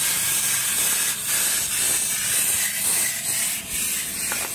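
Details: Chimney Swift nestlings close to fledging, nesting in a fireplace chimney, give a loud, harsh, hissing, raspy chorus that swells in rough pulses, echoing inside the chimney.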